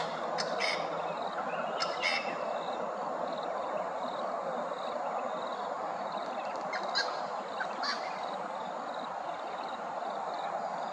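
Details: At Hervey Bay, Queensland, a group of Grey-crowned Babblers keeps up a dense, scratchy chatter, broken by a few sharp, high squeals near the start and end.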